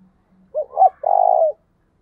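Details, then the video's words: Spotted dove performing a thúc bổi call to provoke decoy doves into cooing: soft low hum first, then a short note, an upward-swelling note, and a long even trembling coo. "tiếng cu gáy thúc bổi căng lửa nhanh nổi"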